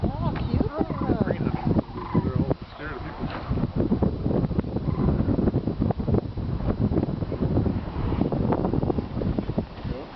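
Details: Large flock of sandhill cranes during spring migration near Kearney, Nebraska, at dusk as the birds all take off: a constant chorus of rolling, rattling bugles, many voices overlapping, with people talking quietly nearby.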